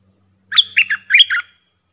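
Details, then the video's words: Training song from a sooty-headed bulbul for young hand-fed birds: a single rollicking phrase of five rich, descending whistled notes. "เสียงนกดอกแตงEp.122สำหรับหัดลูกป้อน/ลูกเสอ มีครบในครบในคลิปเดียว สับดอก-เบิ้ล-ริก เพลงเพราะน่าฟัง"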